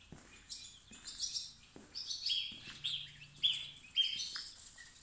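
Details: Newly arrived mixed-breed baby chicks, picked up from the post office early in the morning: many high thin peeps overlapping in quick succession, with a faint low hum behind them.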